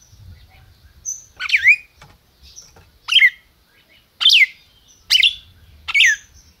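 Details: Red-crested cardinal kept in captivity by a registered Brazilian breeder, calling and singing: about five strong downslurred chirps with brief rasping edges, spaced unevenly less than a second apart, over a quiet low hum.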